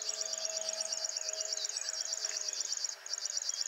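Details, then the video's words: Male River Warbler singing strongly at RSPB Ham Wall in the early morning, digiscoped; a sustained mechanical reeling of fast, regular high ticking pulses, nearly three per second in groups, with a brief break near the end. "Singing RIVER WARBLER"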